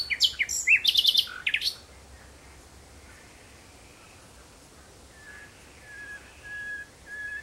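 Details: Common nightingale, June 2017 at sunset, delivering a rapid burst of loud, buzzy repeated notes, then a pause followed by soft, drawn-out whistles.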